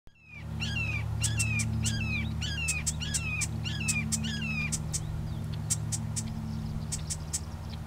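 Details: Marsh wren singing at Johnson Log Pond, Coos County, Oregon, on 2 April 2020: a fast run of down-slurred, gurgling notes, about six in three seconds, then a dry, ticking rattle, over a steady low rumble.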